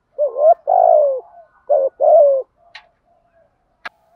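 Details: Lure calls of spotted doves, male and female: a quick rising coo, a long falling coo, then a short coo and another long descending coo, followed by two sharp clicks in near silence.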